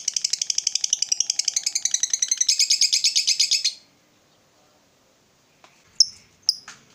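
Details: Lively 'ngekek' lovebird trill meant to spur a mute lovebird: quick shrill pulsing chatter for nearly four seconds, then stops dead, followed by silence and a few sharp isolated chirps.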